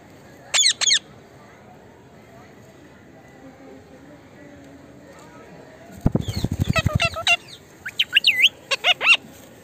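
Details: Talking Indian ringneck parakeet: two sharp high syllables early on, then a busy stretch of rapid low pulsing mixed with clipped, speech-like chatter and sweeping, rising-and-falling notes.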